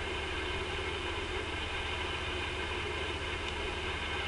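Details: A continuous engine-like drone and hiss runs throughout, with no animal voices.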